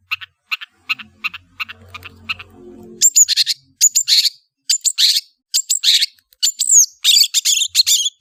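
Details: Long-tailed shrike chattering song opening with faint scattered clicks and a low hum, then loud sharp whistled and scratchy notes in irregular bursts, several with quick rising and falling slurs.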